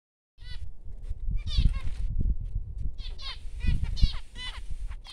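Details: Newborn finch chicks giving thin, rising, harmonic cheeps in quick irregular bursts over a steady low rumbling background.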